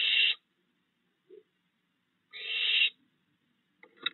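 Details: Barn owl recorded at night in a yard on 22 June 2022, where three fledged owlets are still fed by their father. Two harsh, hissing screeches about two seconds apart, with a faint short sound between and a brief rasp at the end.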